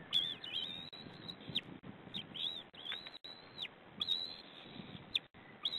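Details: White-tailed eagle at a nest camera on 2 May 2009, an adult feeding the chicks leftover fish; thin, high whistled calls come in quick series, each note rising then holding and dropping sharply at the end, with short gaps of rustling.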